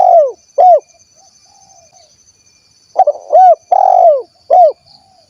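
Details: Cilacap, Central Java spotted dove singing in the kuk 1 style: two short falling coos, a quiet pause, then a fuller phrase of stuttered notes, one long coo and a final short coo.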